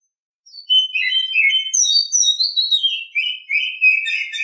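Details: An Oriental Magpie-Robin sings a continuous morning song of clear whistles and buzzy warbled phrases, rising to high sliding notes and falling back to rapid lower chatter throughout.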